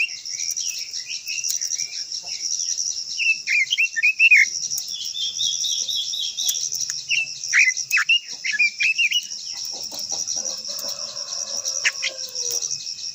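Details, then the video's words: Long-voiced quế lâm song of a Japanese white-eye, sung to provoke other birds: several bursts of rapid slurred twitters and trills spread across the recording, with a constant high cricket hum behind. "Chim quế lâm hót _ quế lâm hót hay giọng dài kích chim quế lâm hót"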